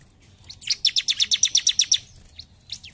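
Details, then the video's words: A bar-winged prinia delivers one rapid, evenly paced series of about eleven loud, high ringing pips lasting just over a second, followed by two thin isolated chirps. "CIBLEK GACOR JUMP SHOOT"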